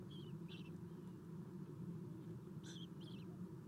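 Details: Eastern Screech-Owl owlets at the nest during a morning feeding, 7:04 am, 4-11-2016: brief high squeaky chitters, two early and two later, set against a droning low hum.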